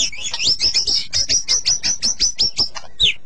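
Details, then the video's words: White-rumped shama song: a rapid run of bright, clear whistled notes, each sliding down, repeated about five times a second in a steady stream, ending with one lower note. "KICAU BURUNG MURAI BATU"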